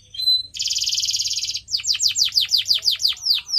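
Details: Canary song for training pet birds: a brief whistle, a second-long dense rolling trill, then a series of about twelve sharp down-slurred chirps in steady rhythm.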